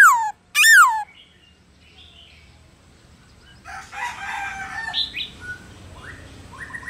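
A laughingthrush gives two loud, ringing, downslurred whistles, then a softer run of varied, chattering phrases over a faint background hiss.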